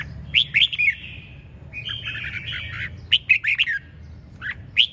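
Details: Red-whiskered bulbul (chiến binh) in 'ché chẻ' song: quick slurred whistles, a warbled burbling passage in the middle, then sharp rising notes, against a quiet low hum.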